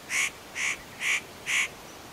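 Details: A spotted nutcracker at Matsunokisawa-no-Atama, unaware of the observer and preening between calls, gives four harsh, rasping calls evenly spaced about half a second apart, against a quiet background.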